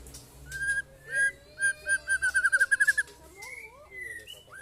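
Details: White-rumped shama in a mental test with neighbours' birds: a series of clear whistled notes speeds up into a rapid trill, then gives way to a few slurred rising whistles.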